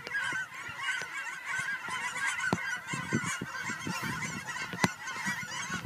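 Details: Many geese coming home to Fern Ridge on March 4, 2012 fill the air with a lively, overlapping honking chorus, individual calls popping out now and then, plus a few sharp clicks from the walker.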